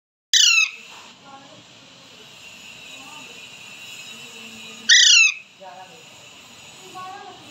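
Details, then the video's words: A 2-month-old Alexandrine (Indian longneck) parakeet gives two loud, harsh squawks about four seconds apart, with faint chirps and a low hum between. "baby Alexander parrot talking"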